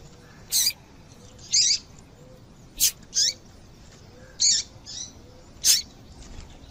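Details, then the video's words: Female double-collared seedeater calling to stimulate a male's song: sharp, very high chirps roughly every second, some sweeping downward, irregular in rhythm over faint background hiss. "Esse Piado de Fêmea de Papa capim é Seu Papa capim Vai Ficar Cantando RÁPIDO!!!"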